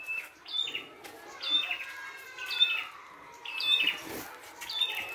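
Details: Wild red-headed prinia giving a full song of high whistles and buzzy upslurred notes, phrases repeated about every second, with a faint thud and rustle partway through.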